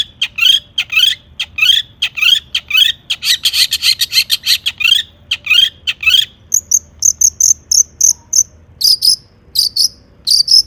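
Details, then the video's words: Long-tailed shrike in energetic song full of mimicked notes, played as a lure to make other shrikes sing. Harsh buzzy notes repeat about twice a second, then switch to sharper, higher chirps in quick bursts. "burung cendet gacor EMOSI MEWAH buat PANCINGAN CENDET AGAR BUNYI bikin BURUNG PENTET GACOR NYAUT"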